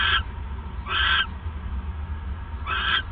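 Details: Owl at night in late December 2014 while the male delivers a mouse: three short harsh, raspy screeches spaced about a second apart, with constant low background hum.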